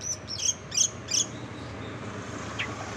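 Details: Long-tailed shrike mimicry for training contest songbirds: three or four thin, high squeaky notes in quick succession, then quiet background hiss with one faint later note.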